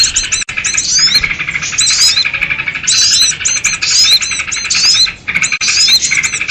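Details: Noisy sooty-headed bulbuls in a lure recording for trapping small birds: bursts of harsh chattering mixed with quick whistled sweeps, roughly one burst a second, with short gaps between.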